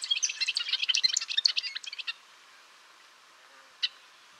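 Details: Golden-rumped euphonia, known in Brazil as gaturamo-rei, delivering a fast jumbled warble of high chirps and twitters for about two seconds, then quiet with one lone chip note.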